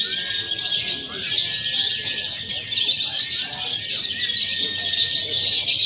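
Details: Pre-competition training in a lovebird free-action contest simulation: relentless high, fizzy chatter with a long steady whistle line and a few short falling slurs.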